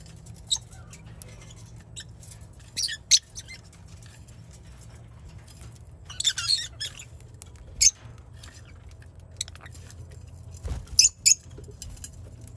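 Baby lovebirds give short, harsh, high squeaky chirps in scattered bursts, some doubled, over a low steady hum.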